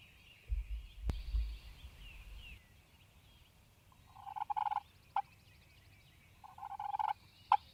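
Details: Wild Turkey male during a Mississippi spring hunt, morning: after a low rumble and a sharp click, two rattling clusters of rapid notes arrive roughly two seconds apart, each followed by a single sharp note.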